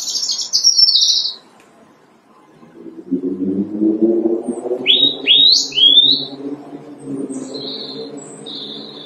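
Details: Robin singing loudly in March as spring arrives; a high whistled phrase, then a few rising, upslurred notes and thin trills, over a steady low droning hum in the background.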